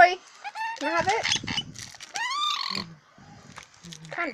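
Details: A male scaly-breasted lorikeet talks and swears over his toy in quick, raspy, speech-like bursts, his voice sliding up and down over a few seconds, with short screechy notes between phrases.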